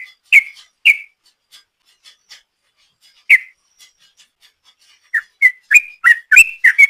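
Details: Sooty-headed bulbul ropel song used to lure birds: two spaced whistled notes and a lone third, then a fast burst of rising and falling whistles at the end.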